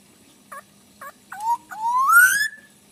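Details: Song of a black-naped oriole: two soft separate notes, then a brief whistled dip and a long upslurred whistle closing in a rough, buzzy flourish, with a low steady hum behind.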